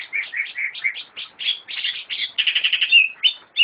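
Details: A kept greater green leafbird (cucak ijo) sings a quick, varied run of bright chirps and warbled notes, shifting constantly in a mid-high register, with no other sounds.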